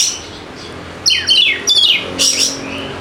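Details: Kacer (Oriental magpie-robin) singing as a lure for birds that are slow to sing: after a soft start come energetic bursts of sharp, falling whistled notes and trills, closing with a brighter high phrase.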